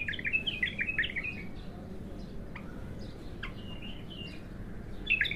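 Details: An untrained bulbul singing for the first time opens with a fast, bubbling warbled phrase of about a second. Sparse, quieter scattered chirps follow over steady low background noise.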